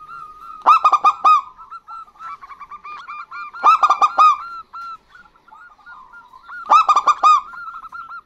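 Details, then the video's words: Male and female local zebra doves answering each other, used as a lure for other birds; loud clusters of four or five ringing coos come every three seconds, with quick soft cooing filling the gaps. "Perkutut Lokal Gacor Betina Dan Jantan Bersahutan Ampuh Untuk Pancingan"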